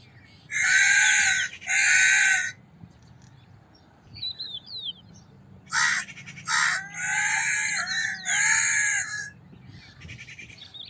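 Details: Crow cawing: a pair of long, harsh caws, a quiet stretch with faint high chirps, then a run of four or five raucous caws in quick succession.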